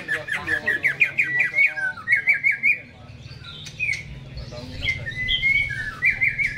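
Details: Greater green leafbird kept in a cage, singing before being hung up: choppy, rapid whistled phrases, short bursts of repeated notes, a brief pause, then long slurred whistles and bright trills, with low background hum.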